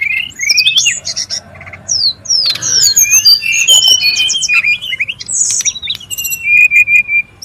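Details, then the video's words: Brown-chested jungle flycatcher in the wild, noisy calling used for luring and tutoring: a continuous jumble of rising and falling whistled notes and short chirps, ending in a string of quick repeated level whistles. "SUARA PIKAT DAN MASTERAN BURUNG SRDC(sikatan rimba dada coklat) RIBUT DI ALAM LIAR"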